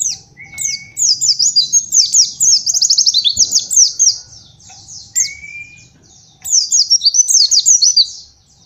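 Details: Pleci, a white-eye, sings a master song meant for young birds to learn: long bursts of rapid, high, downslurred chirps, broken by pauses and two rising whistles, then more chattering.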